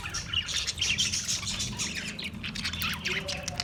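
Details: Australian parrots chirping rapidly, a quick run of bright high tweets and squawks packed closely together over a faint low hum.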